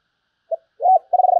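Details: Spotted dove singing in the sấm bầu style: a short low coo, then a longer hoarse coo and a steady buzzing coo, all mid-low pitched, with no other sounds.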